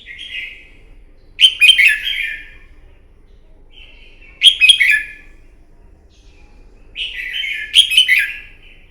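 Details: Red-whiskered bulbul performing a morning fighting song to train a bird: three loud phrases, each a soft lead-in note followed by a burst of sharp, chirpy whistles, repeating roughly every three seconds over a quiet background.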